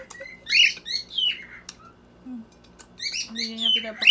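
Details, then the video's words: Lutino Red-eye Cockatiel kept as a family pet in the Philippines, singing in the background during dinner: bursts of whistled, warbling harmonic notes separated by quiet gaps, with soft clicks and a low voice in the room. "Luisa singing in the background"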